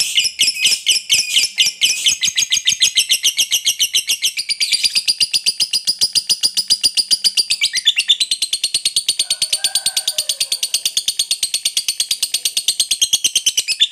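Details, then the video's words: Long 'ngekek panjang' trill of a fighter lovebird, used to stir rival birds into singing: a continuous high, buzzy rattle of very quick repeated notes lasting the whole stretch, with a brief lower chirp near the end. "SUARA BURUNG LOVEBIRD NGEKEK PANJANG, JITU BANGET PANCING EMOSI LAWAN"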